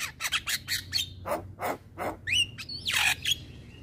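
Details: Male Javan myna in full song to trigger others: a rapid run of harsh, noisy squawks followed by rising whistled slurs and a drawn-out raspy note.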